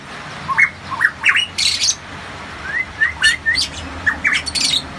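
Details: Kept variable pitohui from Papua singing loudly and rapidly: short rising whistles mixed with harsh squawky bursts, delivered almost continuously in quick phrases over a low steady hum.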